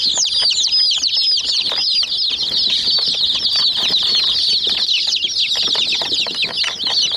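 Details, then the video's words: Chicks of domestic chicken, a group pecking at a small white toy jeep, give dense, continuous high-pitched peeps, many overlapping short downward-sweeping chirps at a rapid rate, with faint tapping of pecks on the toy beneath. "Mini Jeep Vs Murgi Chicks Chirping Sounds"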